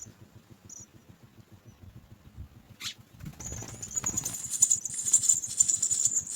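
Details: Three house sparrow babies in their nest waiting for feeding stay nearly silent, then a sharp rustle, then they erupt into a sustained chorus of shrill high begging calls that grows louder.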